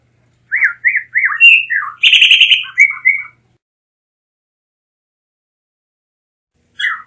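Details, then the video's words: Blue mockingbird: three rising whistled chirps, a mellow falling note, a grating buzz, and a string of quick whistled notes, then quiet and one final sharp call. "Mulato Azul Canto - Blue Mockingbird Bird Song"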